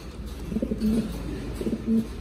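A Mondain pigeon gives low, throaty coos, a few soft rolling notes then a longer held one, with a faint indoor room hum.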